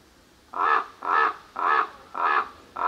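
A common raven gives four or five harsh, hoarse caws in a steady series, about two each second, with no other sounds.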